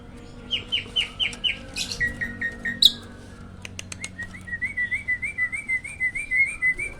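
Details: Hybrid jalak, a caged master songbird kept near other cages to train them, gives a row of clear descending whistles, some scattered clicks, then a rapid wavering whistled trill.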